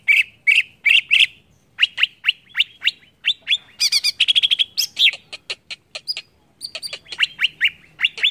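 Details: Greater green leafbird singing to provoke rivals, a varied stream of sharp high chirps, a rapid rattling trill midway, then thin whistles and clicks in uneven bursts.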